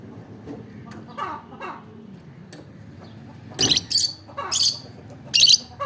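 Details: Olive peach-faced lovebird chirping in a run of loud, piercing shrieks near the end, preceded by softer, lower chirps, over a low steady background hum.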